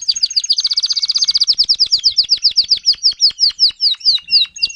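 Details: Timbrado canary tutor singer, 2021, teaching young canaries: a fast, dense trill of high notes slowing into evenly spaced downslurred chirps about four per second.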